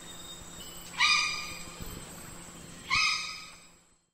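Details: Two harsh raven calls about two seconds apart, each a rough, slightly rising note that dies away, over a steady background hiss; recorded for the Australia, Oceania and Southeast Asia region.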